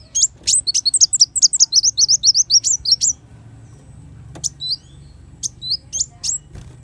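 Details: High, hurried sunbird song from a brown-throated sunbird (kolibri wulung), used as a master recording: some twenty quick squeaky notes in three seconds, then scattered single chirps with pauses between.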